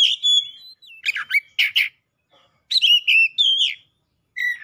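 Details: Emotionally charged Oriental magpie-robin song with a long level whistle, harsh grating notes, and bright gliding whistles with overtones, separated by short silences.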